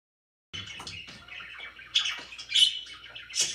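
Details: Pet budgerigars indoors: after half a second of silence, dense scratchy chatter with bright chirps and squeaky notes layered over one another, louder chirp bursts standing out near the end.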